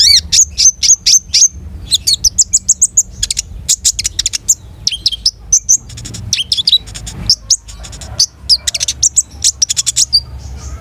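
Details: Energetic 'gacor' song of a long-tailed shrike with a rich repertoire: dense runs of rapid, high, clicking and chattering notes interwoven with whistled slurs, barely pausing throughout; soft low background noise.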